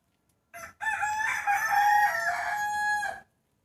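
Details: Domestic rooster heard in the morning shortly before New Year 2020, giving a short opening note followed by a sustained, strident crow of about two and a half seconds with a slight rise and fall in pitch, no other sounds.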